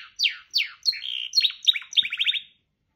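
A canary sings two bright downslurred whistles, then a run of rapid, rolling trills and repeated sweet notes, high-pitched and lively, with no other sounds.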